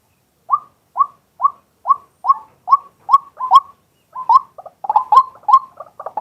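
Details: Male White-breasted waterhen in daytime, captured live with a set-up camera: evenly spaced short upslurred notes repeated about twice per second, growing quicker and more jumbled toward the end.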